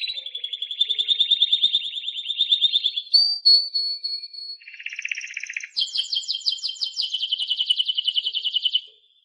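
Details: Song of a Timbrado canary, a continuous chain of rolling trills: a smooth high roll, a brief whistled note, a lower buzzy burst, then a fast bright trill of repeated notes running to the end.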